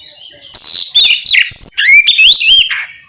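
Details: Loud ngeplong-style song from an oriental magpie-robin, used to provoke other magpie-robins into singing: a continuous run of quick, varied whistles, squeaky upslurs and looping high notes, about a dozen elements in under three seconds.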